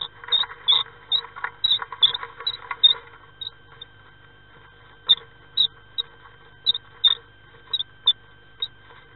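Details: Nest box 9 on 5 May 2016, as a common swift partner arrives to join its mate: a busy run of thin shrill chirps for three seconds, a pause, then isolated sharp squeaks every half second or so, faint background hum.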